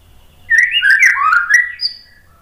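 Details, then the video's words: White-rumped shama song phrase for training birds to answer: one brief, slurred, warbling run of mid-pitched whistles with a faint high note near the end. "SUARA MURAI BATU Untuk melatih MENTAL biar BUNYI NYAUT JADI GACOR BONGKAR MATERI TEMBAKAN"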